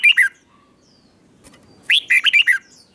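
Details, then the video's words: Red-whiskered bulbul, a caged bird, singing the double (เบิ้ล) style meant for young birds to learn: a brief two-note fragment, a pause, then a quick run of five bright, slurred chirping notes. "นกกรงหัวจุกเบิ้ล 1000000% สอนลูกนก ก็อปติดง่าย"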